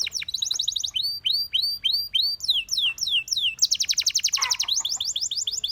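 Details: Canary singing, offered as training song: fast trilled notes, then evenly spaced descending whistled slurs about three per second, and a bright rapid trill near the end, all loud and clear.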